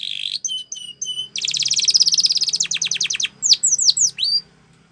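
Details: Training song of a Spanish Timbrado canary for young birds: short level whistles, then a long run of rapid buzzy pulses that breaks into quick chips, ending with a few looping downward-sweeping whistles before silence.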